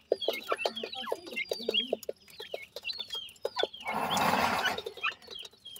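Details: Grey francolin chicks feeding among their family: a quick series of low clucks and high downslurred peeps, roughly four per second, interrupted midway by a loud rushing noise burst.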